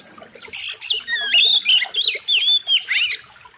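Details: Oriental magpie-robin singing on a master track for training birds, a quick run of six or seven loud phrases mixing harsh buzzy notes with swooping, rising and falling whistles, all in about three seconds.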